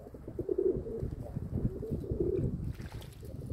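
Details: Owner's domestic pigeons, recorded on 27 May 2022 in the early afternoon: two short, low, burbling coos about two seconds apart over a steady, rumbling low background.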